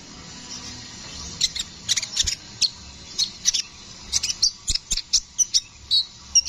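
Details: Brown-throated sunbird, or kolibri ninja, singing busily in a rolling style: a steady run of sharp, high, squeaky chirps and short trills, several per second, over a quiet low hum.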